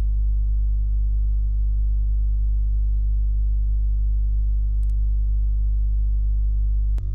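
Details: Constant low electrical hum with a couple of faint clicks, near a hobby's nest in Hungary on 5 July 2016.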